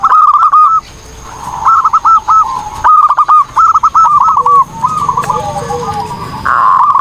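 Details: Zebra dove singing for a training recording: strings of fast, staccato cooing notes repeated in several runs, broken by brief pauses, with quieter lower-pitched coos behind.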